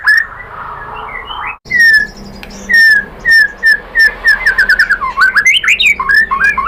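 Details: White-rumped shama singing, used to encourage captive birds to answer: clear downslurred whistles spaced about a second apart, quickening into a rapid string of short varied notes.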